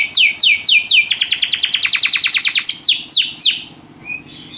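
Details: Canary in full song: repeated descending whistled sweeps speeding into a fast rhythmic trill of about a dozen strokes, slowing again into long downward swoops, then a soft high flourish.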